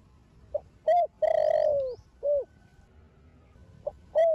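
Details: Spotted dove, a young Thổ Đồng-style bird from a Thổ Sấm line, cooing to stir other doves: one complete phrase of lead note, rising hoot, long descending coo and short final coo, then the next phrase beginning.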